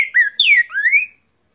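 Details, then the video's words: Cockatiel copying the trinca-ferro's song in one loud whistled phrase: a short steady note, a sharp downward slide, then a long rising whistle that fades out. "Calopsita canto trinca ferro"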